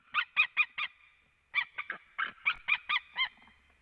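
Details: Wild male white-tailed eagle perched on a branch at a nest in Latvia, calling to the female one March evening in 2017. It gives a series of sharp, yelping notes in two bursts, each note fast and evenly spaced.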